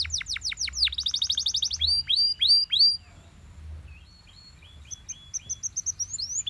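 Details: Belgian canary singing in the morning: rapid series of descending whistled sweeps, then slurred upward notes, a short pause, and a thin high twittering phrase of quick repeated chirps.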